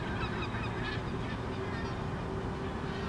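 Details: A flock of eight lesser black-backed gulls flying over Helsinki, Finland, in August 2014, giving overlapping nasal, honking calls over a steady low rumble of wind or distant traffic.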